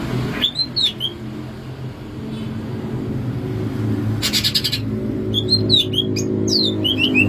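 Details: Greater green leafbird from Alas Purwo, Banyuwangi, in its natural voice: bright swooping whistled notes rising and falling in quick bursts, with a short harsh burst midway and a steady low hum underneath.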